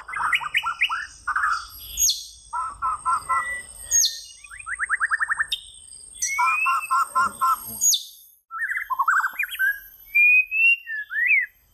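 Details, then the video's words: White-rumped shama in varied song, mixing rapid rattling trills of repeated notes, sharp high chips and fluting whistled phrases, each burst about a second long with short pauses between. "صوت طائر الشامه - Rumped Shama Birds Singing"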